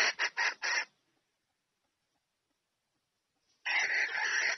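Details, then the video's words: A red junglefowl hen calls a cock to come and mate, giving four quick, harsh clucks, then after a short silence a longer, grating cackle, with no other sounds. "Tiếng GÀ RỪNG MÁI Gọi Trống Chạy Về Đạp Mái"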